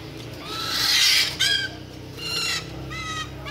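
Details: Chopi blackbird giving a harsh hissing burst followed by a series of short, evenly pitched nasal notes with bright overtones, repeated in quick groups amid steady background noise.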